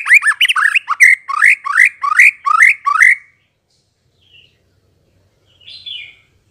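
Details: White-rumped shama song used as a lure to provoke a response: about ten quick, rich, upswept whistled phrases in a row, then a pause with two faint short notes.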